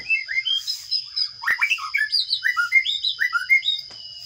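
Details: Sparrow chicks in a nest box calling as they are fed: a quick run of high, short chirps and squeaky slurred notes rising and falling, roughly four each second, over a steady thin high whine.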